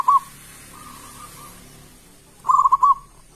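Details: Local zebra dove used as a lure to get other doves singing: a short cooing note, then a quieter run of soft coos, and finally a loud burst of rapid bubbling coos near the end.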